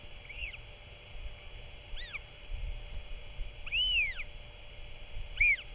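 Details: Royal albatross chick vocalising during an end-of-day feeding visit from its father, 27 March 2024; four short arched, rising-falling calls at irregular intervals, a couple doubled, above a steady electronic hum.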